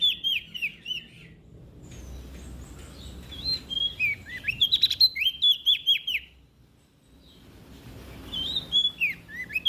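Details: Olive-backed tailorbird from West Nusa Tenggara, vocal and vigorous, used to stir quiet birds into singing: rapid high whistled phrases at the start, a long series of sharp downslurred notes mid-way, a brief lull, then more bright whistles.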